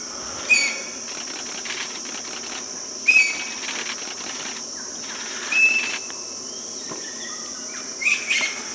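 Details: Common green magpie in Bangladesh: brief clear whistled notes, single or doubled, repeated about every two and a half seconds over a steady high insect drone and faint rustling.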